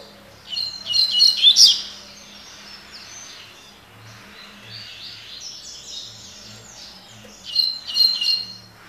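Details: Double-collared seedeater, known locally as coleiro, singing in the tui tui (tocó) style: short bright trilled phrases high in pitch, a burst near the start and another near the end, with faint low hum between.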